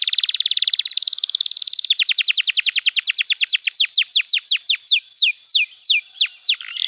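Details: Canary tutor song for young canaries and for coaxing non-singing birds: a fast buzzy trill speeding into rapid clipped notes, which slow into a sequence of loud, sweeping downslurred whistles, roughly three per second.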